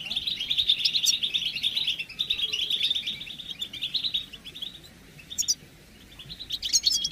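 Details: European goldfinch chirping used to bring males quickly out of moult; an intense, rolling twitter for the first four seconds, then fading, sparse chirps and a final burst of high notes.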